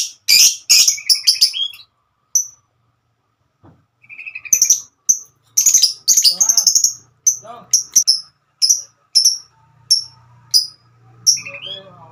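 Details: Female lovebird singing a long trilling ngekek song while calling its companions: bursts of high sharp chirps, a pause, then clear whistled notes repeated about every half second, with a faint low hum behind.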